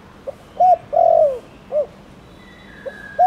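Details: Thổ Đồng cooing from a spotted dove, intended to stimulate other doves. A pip, a clipped coo, a long falling croo and a rounded short coo, then another phrase begins. A steady thin whistle sounds near the end.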